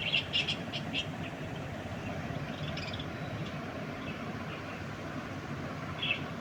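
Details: Pet budgerigars while Tom and Jerry plays: a budgerigar gives a few quick, bright chirps over a steady low background hum.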